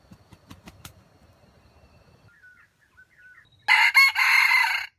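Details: Junglefowl used as trap bait to draw in wild chickens; after faint knocks and thin whistles, a short loud raspy crow bursts out in two or three pieces near the end.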